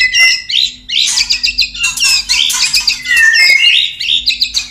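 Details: White-rumped shama male wooing a female before mating, delivering a loud, crowded medley of whistles, buzzy rasps and quick trills that tumble together in near-continuous bursts.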